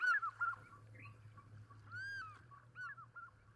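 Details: African fish eagle near water in the African bushveld: loud, ringing, arched yelping notes, some rising then falling, given in an irregular series, over a steady low engine-like hum.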